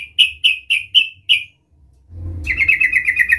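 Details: Trucukan, or Sooty-headed bulbul, calling to lure a rival: five loud, clear chirps evenly spaced a quarter second apart, a brief silence, then a fast steady chatter of pulsing notes over a low rumble.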